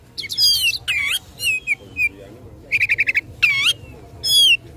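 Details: Oriental magpie-robin delivering a combative song to provoke rivals: rich whistled slurs, a rapid stuttering run of five short notes, and loud buzzy phrases separated by brief gaps.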